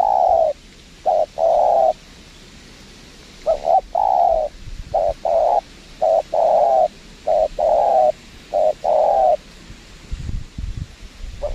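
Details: At a windy trapping location, a spotted dove answers a lure bird with a long run of low mellow coos, short notes alternating with longer held ones, ending with wind gusts.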